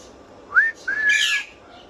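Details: Parrot whistling: a quick rising whistle, then a longer level whistle that breaks into a harsh squawk.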